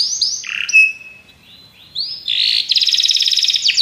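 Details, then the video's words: Belgian canaries in song: descending whistled notes, a thin sustained tone, rising slurred whistles, then a fast pulsing trill to the end. "Os canários belgas cantam espetacularmente"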